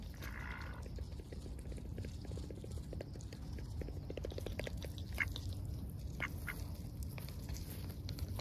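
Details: Lively ducks filmed up close under heavy overcast; a brief harmonic quack opens, followed by soft clicking or dabbling sounds and scattered short calls over low rumbling noise.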